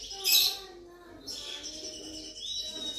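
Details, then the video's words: Oriental magpie-robin song played as a lure to get idle magpie-robins singing: a sharp high burst, then thin sustained whistles and a rising whistled slur over a faint steady low hum. "suara pancingan kacer cocok untuk pikat dan burung bahan"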